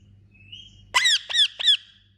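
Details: Young Indian ringneck parrot giving a thin, faint whistle followed by three loud, sharp, squeaky arched notes in quick succession, with a soft low hum underneath.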